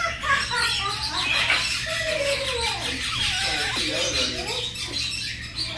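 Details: Young red-tailed grey parrot showing affection to its friend, giving a run of short whistled notes that slide up and down, mixed with raspy squeals over a continuous low hum.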